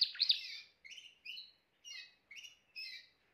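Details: Timbrado canary song opening with a loud rolled burst, followed by short separate whistled phrases spaced about half a second apart, each a sliding, metallic note pair.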